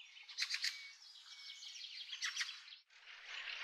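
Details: Bramblings in a garden in April 2013: a few short, bright chirping call notes, grouped near the start and again around two seconds in, with a thin high whistle in between and a faint hiss afterwards.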